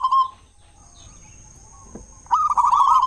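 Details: Local zebra dove used as a singing lure for other doves in the morning and evening. A brief coo opens the clip, then near silence, then a loud trilled cooing phrase.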